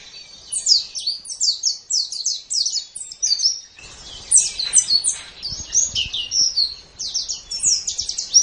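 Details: White-eye (pleci), a gacor tutor recording made for training pet songbirds: rapid high-pitched twittering of thin, descending chirps that runs almost without pause, with a faint low rumble of background noise joining after about four seconds.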